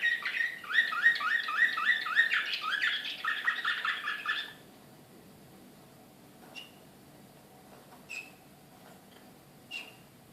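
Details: Excited Serbian Slavujar canary in Belgrade, 2014, delivering a fast rolling trill of evenly repeated rising syllables for about four seconds, then falling quiet apart from a few isolated sharp chirps.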